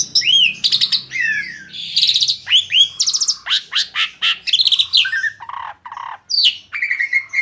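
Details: Asian pied starling, said to cleverly lure other birds into singing, delivering a varied loud song of whistled slurs, rising and falling notes and buzzy rattling bursts in quick succession, with a faint low hum underneath.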